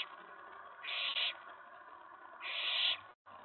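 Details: Excited owlet in a nest box late on the night of May 19 2017, after a mouse delivery, an owl arriving at the tray; two rasping, breathy screeches separated by a pause of over a second.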